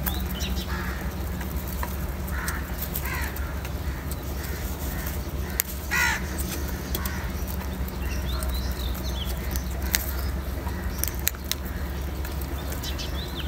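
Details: Crow feeding on salty food gives scattered harsh caws, the clearest a brief rasping note near the middle, amid constant low hum and faint distant chirps.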